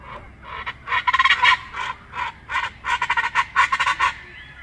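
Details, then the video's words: Chachalacas calling in Colima, Mexico: loud, harsh, honking notes delivered in rapid stuttering bursts, several birds alternating in a raucous, rhythmic chorus. "canto de chachalaca colima mexico"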